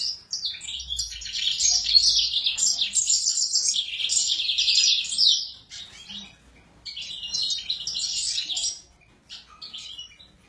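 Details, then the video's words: Agitated Sura delivering a long bright run of quick chirps and buzzy trills for about five seconds, then a shorter burst after a gap, with a faint low rumble early on. "السورا المزنبيق هيجان"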